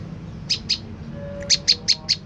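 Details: Lure recording of a prenjak lumut tailorbird meant to make birds answer: two sharp high chips, a short pause, then four more evenly spaced chips, with a faint low hum beneath.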